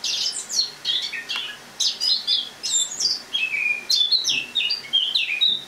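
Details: Caged Eurasian blackcap singing its autumn song indoors in a kitchen on the morning of 1 October 2017; a quiet, rambling warble of rapid chirpy and twittering high notes in short bursts, with brief pauses between phrases.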